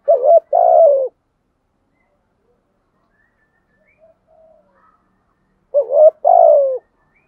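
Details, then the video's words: Cooing spotted dove, 'thổ sấm' voice, used as a lure in the rainy, windy season to make wild doves call back: two deep phrases about five seconds apart, each a quick rising double note followed by a drawn-out descending coo. "Chim cu gáy bài bản, giọng gáy hay kích bổi hiệu quả mùa mưa gió, giúp bổi xiêng gáy"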